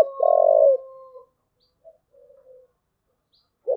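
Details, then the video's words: Thúc gù cooing of a spotted dove: a loud, sustained low coo with a thin steady higher tone above it, then scattered faint notes. The next phrase opens with a short note near the end. "cu gáy thúc gù"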